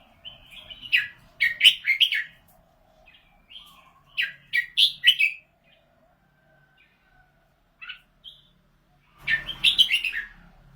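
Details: Red-whiskered bulbul, a bird admired for its 'golden voice', delivering clusters of bright, rapid chirping and whistled notes in several bursts separated by quiet gaps, with a low rustling noise near the end.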